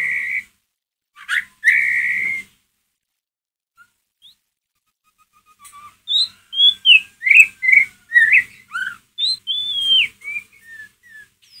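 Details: Provocation lure of a white-rumped shama giving ngeriwik calls: two loud drawn-out whistles, a pause with faint notes, then a fast tumbling sequence of sweeping whistles and chips.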